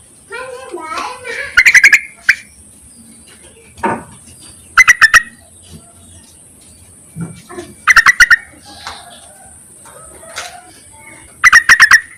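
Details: Lure recording of a yellow-vented bulbul calling to males: four bursts of rapid bubbly notes spaced roughly three seconds apart, with assorted chirps and twitters from other birds between them.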